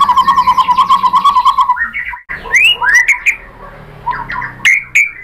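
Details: Provoking lure song of a white-rumped shama (murai batu): opens with a fast, even trill of low notes for nearly two seconds, then breaks into scattered bright upslurred whistles and short chattering notes.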